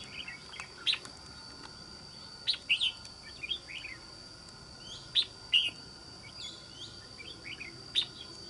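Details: Red-whiskered bulbul, a newly wild-caught trapping bird praised for a good wild island voice, giving short bright chirped and warbled phrases at irregular intervals of a few seconds, with a steady electrical hum in the background.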